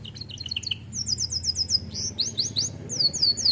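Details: Young domestic canary beginning to sing: thin, high chirped phrases of quick repeated notes, shifting into descending slurred whistles and bright sweeping trills, with a soft low rumble underneath.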